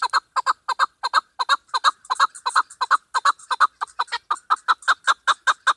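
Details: Female chukar partridge (keklik), used as a hunting call, giving a fast, steady run of hoarse, clucking chuck notes, about three per second, with no other sounds.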